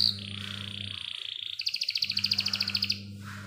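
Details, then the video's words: Canary in full song, offered as a lure for 'paud' canaries and as therapy for canaries that have stopped singing, with a long clear roll: a steady high tone, then a rapid, even trill of bright notes about two seconds long, over a low hum. "Pancingan Kenari Paud | Terapi AMPUH Kenari Macet bunyi | kenari gacor dor Roll panjang jernih"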